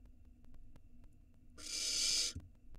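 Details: A small barn owl nestling filmed in an Israeli nest box in 2022 during a rat meal gives one long, harsh hiss lasting under a second, preceded by faint ticking and scratching sounds.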